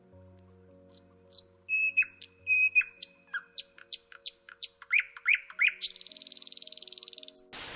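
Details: A common nightingale in Ukraine sings loud and varied: high whistles and sharp notes, then a run of rising chirps and a fast, rattling, buzzy trill.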